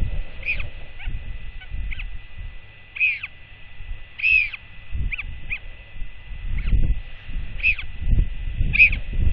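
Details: Royal albatrosses at the colony in the dark before dawn give sharp, hollow bill clacks in short bursts every second or two, over low wind rumble. A startled chick clacks defensively as its mother arrives at the nest, and she clacks back. Recorded 1 June 2024.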